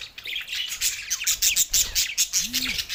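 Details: Two male pet budgerigars chirping together: dense, rapid warbling chatter of high twittering notes and short squawks, continuous and overlapping, with a brief low rising-falling tone near the end.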